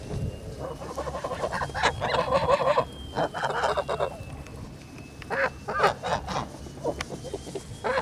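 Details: Kholmogory geese kept on a farm, 10 August 2017: loud, buzzy honks in clustered bursts from several birds, with gaps and quieter spells between volleys and a faint high steady tone behind.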